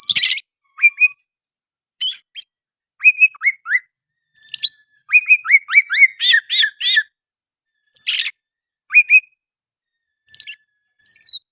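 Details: Oriental magpie-robin singing with sooty-headed bulbul phrases mixed in: scattered sharp buzzy bursts alternating with groups of short falling whistled notes, building to a rapid cluster of chirps midway, with quiet pauses between phrases.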